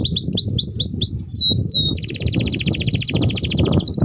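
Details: Canary singing a long training song: a series of rising whistled notes and two slurred sweeps, then a rapid, even high trill, against constant low background noise.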